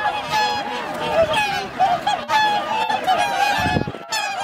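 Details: Many swans calling on Lake Hyoko, Agano City, Niigata Prefecture, Japan, in January 2022, a wintering flock of 2,628; steady, nasal, trumpeting honks overlap densely, with brief lulls and a low rumble near the end.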